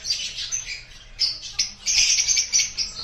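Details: Rosy-faced lovebirds of the opline colour form chatter in shrill, high, squeaky chirps, overlapping in quick bursts with barely a pause over three seconds.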